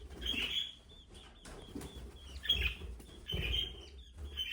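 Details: Budgerigar giving thin, high, sustained tones broken by scratchy bursts and soft thumps, possibly wing flutters, over a low background rumble.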